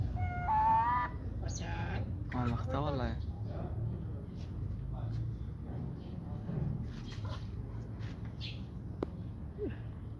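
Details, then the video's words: A talking myna utters harsh, voice-like speech phrases in the first three seconds, then softer scattered chatter and clicks over a steady low hum. "speaking myna"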